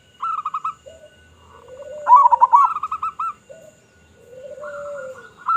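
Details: Local zebra dove in full voice, used to lure others of its kind: short runs of rapid pulsed coos from several birds, overlapping with lower, slurred, drawn-out coos.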